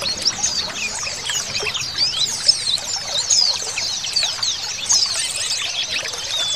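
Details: A crowd of Oriental white-eyes, mixed with female calls, twitters continuously in thin, high, rapid chirps and trills, many birds overlapping with no pause.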